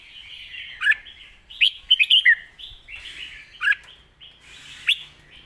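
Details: Red-whiskered bulbul delivering its loud, clear master song, a run of rich warbling whistles punctuated by five strong accented notes, including a rapid triple burst at the two-second mark.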